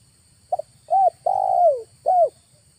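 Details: Spotted dove cooing as a trapping lure in August; a quick doubled note opens a short-long-short phrase, the middle coo drawn out and falling, with a faint low hum.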